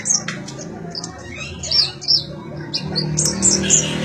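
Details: High, squeaky chirps of a sunbird, known locally as konin or kolibri ninja, offered as training material for magpie-robins; notes come in irregular quick clusters over faint low background noise.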